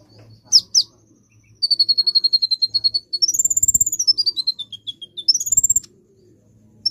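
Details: Sunbird song used to lure birds: two sharp high chirps, then a long fast trill of evenly repeated high notes that slide into rising and falling whistled sweeps, over a low steady hum.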